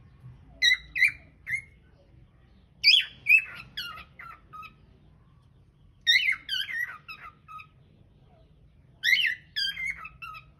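A cockatiel whistles in four short bursts about three seconds apart, each a quick run of bright, slurred notes stepping downward, over a faint low hum.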